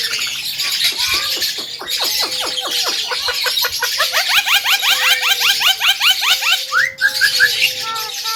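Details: A tame, talking Javan myna delivers long sustained whistles under a fast, accelerating series of sharp rising chirps, ending with higher whistled notes.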